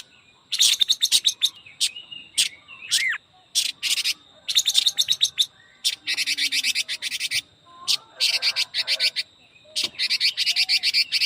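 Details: Quế lâm Chinese hwamei delivering its super-fast 'ché kích bổi' song: quick trills of clipped high notes in repeated bursts, mixed with an occasional rising whistled slur and brief gaps.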